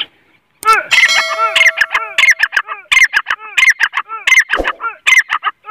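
A grey francolin gives loud, shrill, ringing notes in a fast repeated series, several each second, with harsh overtones.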